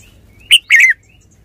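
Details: Red-whiskered bulbul giving one short song phrase: a sharp clipped note followed by a fuller, rolling warble that slurs downward at the end, against a quiet background.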